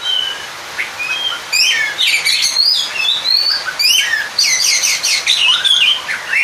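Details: Oriental magpie-robin song meant to call a rival and rouse other magpie-robins. Loud, varied whistled phrases with rising and falling notes and sharp high chips come in quick bursts after a quiet start.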